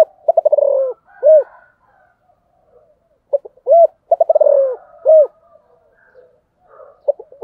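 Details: Spotted dove (cu gáy) repeats its cooing phrase twice: a rapid string of short clipped notes slides into a long falling coo, closed by a loud rounded coo. Soft background calls sound between the phrases.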